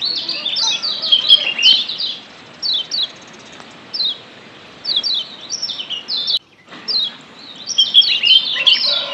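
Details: A wild Lombok yellow white-eye (kecial kuning), used as a stimulant to get kept birds active and calling, gives rapid high, thin chirps and descending twittered notes in bursts, about three per second, over a quiet hiss.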